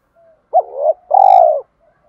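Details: Spotted dove, male and female, calling to provoke other doves: a brief hooked coo followed by a longer throaty sustained note, faint soft coos before and after.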